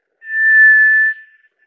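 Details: White's thrush sounding one clear, flat, sustained whistle of about a second, with a soft trailing echo.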